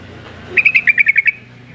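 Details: A yellow-vented bulbul gives a rapid chattering run of about eight bright, evenly spaced notes within a second, a call meant to make silent bulbuls answer back.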